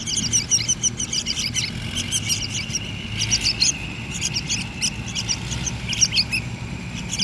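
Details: Hand-fed yellow-vented bulbul chicks begging with short, sharp, high chirps repeated irregularly throughout, some clustered in quick runs, over a steady low rumble.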